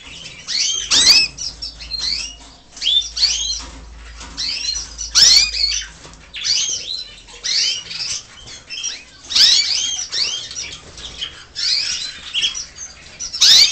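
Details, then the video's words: Canary chicks from several nests in a home aviary, some plucked bald by their parents, nearly ready to feed alone: dense overlapping high cheeping and rising chirps in bursts, with low background hum. "Crías de canario"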